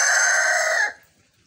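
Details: Homestead rooster giving a crow described as lazy-sounding and unlike usual rooster crowing: a loud, steady, harmonic-rich held note lasting under a second, ending abruptly into near silence.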